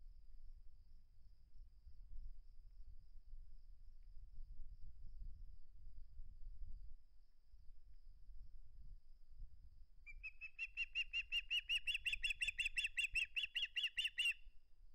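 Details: Osprey at the nest unwilling to part with its flounder: low wind rumble for ten seconds, then a rapid string of sharp, repeated chirping notes that runs to the end.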